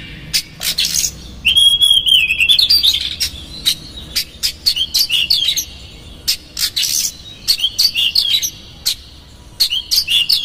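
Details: Oriental magpie-robin, a lure meant to make a rival angry and open its tail, in konslet song with rough fill-ins. A long warbled whistle opens, followed by dense rapid chatter, buzzy bursts and further whistled flourishes.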